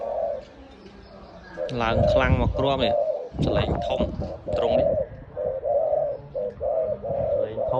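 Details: A man speaks loudly in the middle, then a dove with a strong voice, described as unafraid of people, resumes its short, regular rolling coos.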